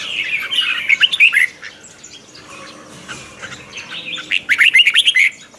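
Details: Red-whiskered bulbul (chào mào) lure-bird song in the morning, twisting voice: a busy, warbling phrase, a lull, then another quick series of bright rising notes.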